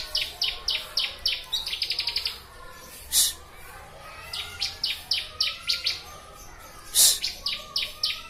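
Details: Bar-winged prinia (ciblek) song from a recording for training birds: fast series of sharp high chirps in bursts of four to eight, some rapid trill-like runs, with two loud broadband noise bursts interrupting.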